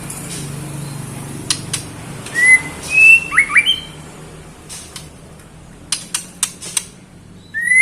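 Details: Female white-rumped shama calling the male: a few clear whistled notes near the middle, a rising whistle and two sharp down-slurs, with scattered clicks and rustling throughout and another short whistle at the end.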